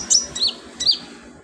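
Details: Sunbird kept for training other birds' filler song, giving three quick high slurred chirps, each sliding sharply downward, over a faint background hum.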